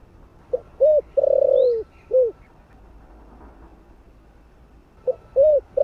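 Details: Spotted dove, known locally as cu đất, cooing in the thổ voice for luring wild doves: one complete low four-note phrase, a quiet gap of about three seconds, then the opening of the next phrase.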